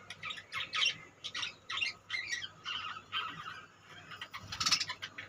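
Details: Budgerigars in a colony heard at lower volume: rhythmic bursts of raspy chatter and squawks repeating about every half second, ending in a louder burst.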